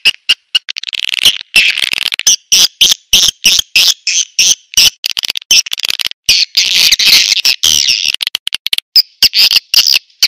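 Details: Swiftlet luring call (suara tarik): continuous shrill, buzzy twittering made of rapid chirps, about three bursts a second, irregularly spaced, high-pitched and unbroken throughout.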